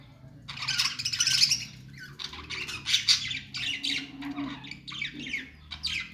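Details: Parakeet chirping: ongoing chattering warble of buzzy, squeaky notes in clustered bursts, with a low background drone.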